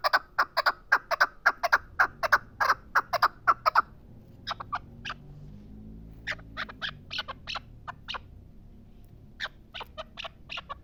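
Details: Chukar partridge from the Pamirs giving a rapid run of sharp, clipped chuk notes for about four seconds, then softer, more scattered notes after a short pause; background otherwise quiet.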